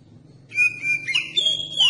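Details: Lure song of an oriental magpie-robin, meant to prompt other magpie-robins to answer and sing: steady piercing whistles followed by upslurred and looping notes over a faint low hum in the background.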